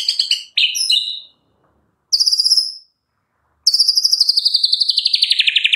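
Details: Caged Medan white-rumped shama in full varied song, used to stir other shamas to sing: high buzzy chattering notes, then long fast trills sliding slowly downward.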